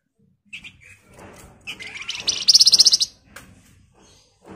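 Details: Flamboyan (scarlet minivet) in full, busy ngebren song, used to coax other birds into replying: scattered high chirps build into a rapid, shrill trill of about a dozen evenly spaced notes lasting roughly a second.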